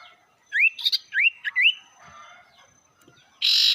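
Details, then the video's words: Sirtu song played to provoke rivals: three upslurred whistles in quick succession, faint quieter notes, then an abrupt harsh buzzy burst at the end. "pancingan burung sirtu bikin emosi lawan"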